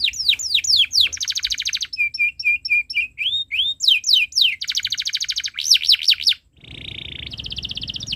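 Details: Canary tutor song for young birds: descending slurred whistles, a dense rattle, a rhythmic series of short repeated chirps about four per second, looping whistles, then a level buzzy trill.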